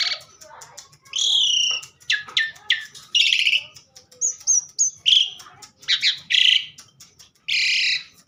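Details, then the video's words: Asian pied starling in lively song, alternating raspy buzzing phrases with brief high whistles and chattering notes, phrases tumbling one after another with short gaps. "burung jalak suren super gacor"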